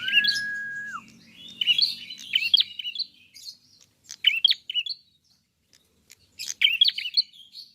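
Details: Red-fronted prinia singing in full voice with open beak: a steady whistled note that drops at the end, then bursts of high scratchy, chattering phrases with twittering notes, separated by short pauses.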